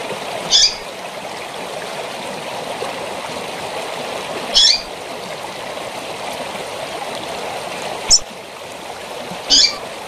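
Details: Female rusty-collared seedeater calling over waterfall noise: four short, sharp, high chips spaced several seconds apart, each a brief bright note standing out above the steady rush of falling water.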